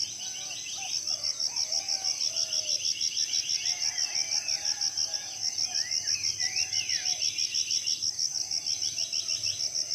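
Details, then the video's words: Morning chorus of wild forest birds in tropical rainforest, Southeast Sulawesi: many mixed chirps and sweeping whistles, with rapid chattering runs in places. A shrill insect trill pulses steadily in the background throughout. "Merdu suara burung dipagi hari ditengah hutan"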